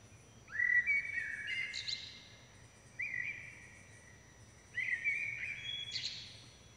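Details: Begging common blackbird chicks, fed by both parents, give three bursts of piercing, rising, overlapping squeals. The first is longest, and the others follow at roughly two-second intervals.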